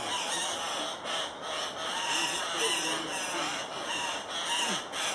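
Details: Andean cock-of-the-rock calling at a lek, Paz de las Aves, Ecuador: rough, raspy squawks repeated irregularly through the recording, fading and swelling over a constant hissing background.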